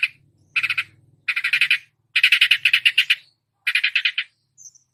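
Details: Long-tailed shrike copying other songbirds, delivering clustered bursts of grating, rapidly pulsed notes separated by short pauses, ending with a faint high whistle; a low soft hum underneath.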